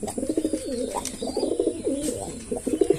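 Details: A male Kaldom pigeon coos in low, throaty, rolling phrases that waver up and down and repeat with brief pauses, recorded in a small room.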